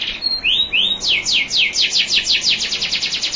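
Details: Canary, a national champion, on a training recording with clear trickling water: two rising whistled notes open a long, steady run of fast, high, downward-sweeping notes.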